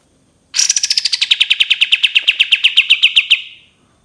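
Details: Cream-vented bulbul shooting song: one burst of about thirty rapid repeated notes, starting high and dropping to a steady level, lasting roughly three seconds before fading.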